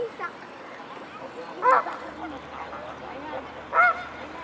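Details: A swarm of mute swans at the Blaues Wunder on a May 2016 evening: two clear nasal honks about two seconds apart above a low murmur of background noise.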